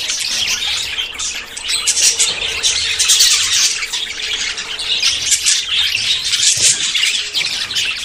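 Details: Budgerigars courting and close to breeding produce a steady wall of high chatter, scratchy warbled notes and squawks overlapping for eight seconds over a faint low hum.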